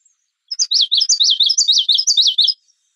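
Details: Common yellowthroat (Geothlypis trichas), song.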